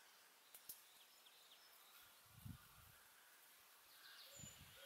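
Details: Male bittern at RSPB Lakenheath Fen, recorded from the Mere Hide on 12 May 2019: two deep, hollow booms about two seconds apart, low and muffled beneath a steady hiss of wind and reeds with faint clicks.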